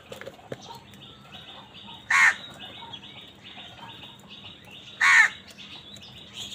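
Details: Angry crows fighting other wild birds for food: two loud, harsh, short caws about three seconds apart, over a steady high-pitched chirring background and faint chirps of other birds.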